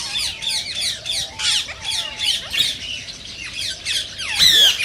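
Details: Green Indian rose-ringed parakeet sounds, meant to prompt other parakeets to sing and mate: a steady series of rasping, falling squeaks about every half second, level low whistles below, ending in one loud sweeping screech.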